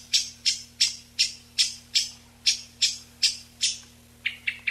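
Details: Eyebrowed thrush, a migratory mountain bird, call used to attract a flock, noise-reduced: sharp high buzzy notes repeated about every third of a second, then three softer lower notes at the end; steady low hum beneath.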